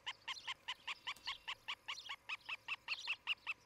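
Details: Osprey of a pair nesting near treetops in Charlo, Montana, on a July 2018 morning: a steady chain of high, slightly hoarse chirps, roughly two and a half per second, over a faint hiss of background noise.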